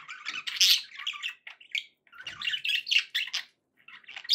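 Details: Pet budgerigars singing: busy, scratchy warbling of chirps and squawky notes packed between about 1 and 8k, in bursts separated by brief pauses.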